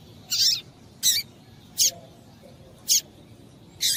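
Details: Female double-collared seedeater calling to excite the male: five high, scratchy chips, roughly one every three-quarters of a second, the first a little longer and buzzier.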